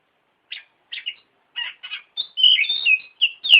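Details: Oriental magpie-robin lure song for training birds: spaced short chirps that quicken into a dense run of clear, shifting whistled phrases and sweeping notes, ending in a sharp note. The background is silent.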